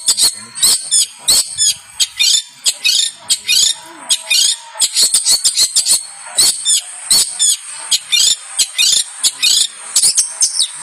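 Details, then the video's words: Champion long-tailed shrike (cendet) pouring out a fast, high, scratchy song of chattering bursts and sharp whistles, about one and a half phrases per second, with no clear pauses. "Masteran Burung Cendet Juara"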